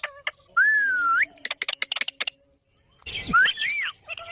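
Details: Pet parrot whistling and calling: a long, smooth, slightly rising whistle, then a burst of sharp clicks and short notes, then a rough, warbled run of squawky, rising and falling whistles.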